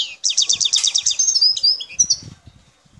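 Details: Wild Algerian European goldfinch from the El Tarf area, Bouteldja: a fast run of about ten repeated sharp twittering notes, then tinkling whistled slurs and a buzzy ending, with faint low background knocks.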